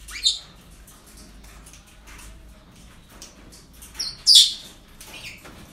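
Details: Parrots at a breeding centre give harsh, high screeches: a loud burst at the start and a stronger one near the end, with softer chatter between.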